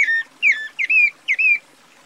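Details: Pale-breasted Thrush (Turdus leucomelas) from Brazil giving rich slurred whistles. Four phrases, some doubled with a quick upslur before a longer falling note, delivered in rapid sequence against a calm background.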